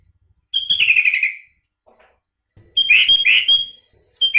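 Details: Sooty-headed bulbul singing isian song: a sharp whistle falling into a warbled slur, then after a pause two quick rich notes ending in a sustained high whistle, another phrase starting at the end.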